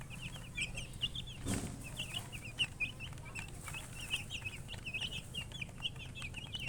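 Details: A flock of chicks keeps up continuous bright peeping, several birds overlapping, with a thud early on and a low background hum.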